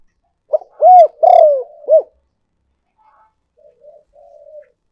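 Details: Spotted dove cooing as a decoy call for luring: one four-part phrase of a short note, a long arched coo, a longer burred falling coo and a clipped final note, followed by soft low murmured notes.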